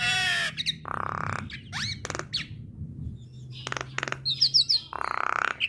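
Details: Female Javan myna singing to trigger responses from other mynas: a wheezy opening, two coarse buzzing rasps, scattered sharp clicks and quick high chirps between quieter gaps.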